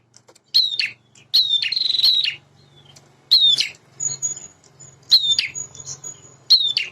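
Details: Male prinia in vigorous song gives sharp, high descending notes and buzzy trills in repeated bursts over a low background hum, with a thin, steady high whistle in the middle.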